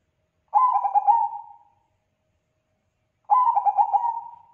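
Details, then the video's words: Bangkok zebra dove in full song, said to set other doves calling back. It repeats its phrase twice, each a burst of quick, clipped notes trailing into a sustained, mellow coo. "Perkutut bangkok gacor suaranya bikin perkutut lain pada nyaut"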